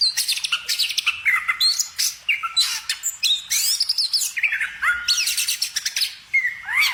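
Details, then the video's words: Loud, busy songbird chirping in rapid bursts of sharp whistled notes and falling slurs, sweeping between high and very high pitches with brief pauses. "kicau burung"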